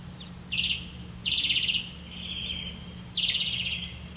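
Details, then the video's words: Grey-capped greenfinch catching crickets to feed its chick; three harsh buzzy trilled calls, each about half a second, with a softer drawn note between them. "Grey-capped greenfinch Birds, Catch a Crickets for your child to eat"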